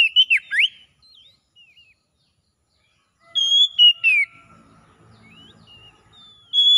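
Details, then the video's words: Oriental magpie-robin singing 'ngalas', a wild-style song meant to restore a bird that has gone quiet: sharp whistled slurs open, soft thin notes follow, then another strong whistled phrase, with a faint low murmur in the background. "SUARA NGALAS TERAPI PEMULIH KACER NGEDROP BUNYI CEPAT GACOR"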